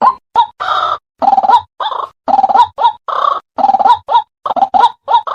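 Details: A White-breasted Waterhen recording used as a lure call for trapping gives loud, harsh croaking notes, about two a second in uneven bursts, with short gaps between phrases.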